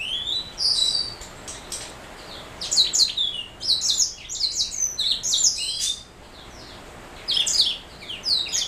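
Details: Black throat mule, a canary cross, singing several phrases of rapid high twittering and slurred whistles separated by short pauses, with the last phrase starting after a quieter gap.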